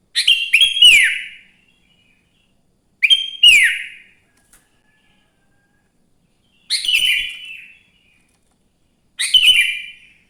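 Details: Morning song of a sooty-headed bulbul, used to get other bulbuls singing: four short chirpy phrases of quick notes and a falling slur, spaced by pauses of about three seconds.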